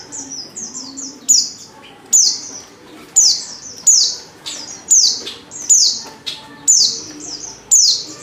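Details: Female white-eye in heat calling to attract a male, repeating loud high downslurred chirps about once a second, occasionally preceded by softer shorter notes.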